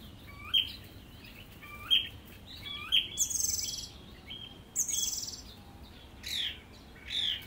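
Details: Song thrush singing: short clear whistled notes near the start repeated about every second and a half, then bursts of high scratchy, trilled phrases and rapid downslurred notes, with quiet background hiss.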